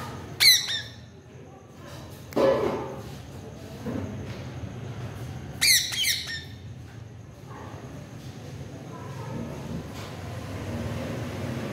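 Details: Parrot answering its owner with scattered harsh squawks: one sharp burst at the start, a lower, rougher call soon after, and another grating squawk near the middle, separated by quiet room noise.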